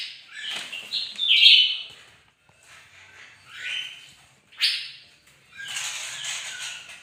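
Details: Bird-of-paradise in lively morning song: a loud, sliding whistled phrase, then quieter rising notes, a sharp upward sweep and a final burst of scratchy high twittering.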